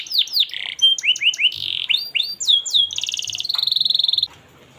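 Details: Canary song with melodious phrasing, used to train young canaries: swooping chirps and curled whistles, a short buzzy note, then a rapid pulsed trill ending abruptly in quiet.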